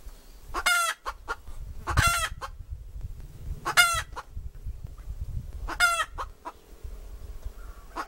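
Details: Hen cackling with four loud, grating squawks spaced roughly one to two seconds apart, each surrounded by quick sharp clucks, over continuous low rumbling background noise.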